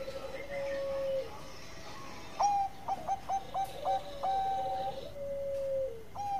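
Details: Zebra dove song against a hissing background: long level tones, then a quick string of short clipped coos and a drawn-out falling note at the end.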